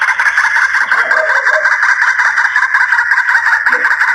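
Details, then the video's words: White-breasted waterhen lure call, a long-duration recording used for hunting the bird: a loud, harsh, continuous churning chorus of rapidly repeated croaking notes, about two per second, with no clear pauses. "Suara pikat ruak ruak durasi panjang"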